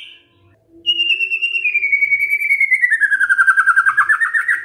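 Magpie-robin song: a loud, clear whistle slowly sliding downward, breaking into a fast pulsed warble of about three notes per second.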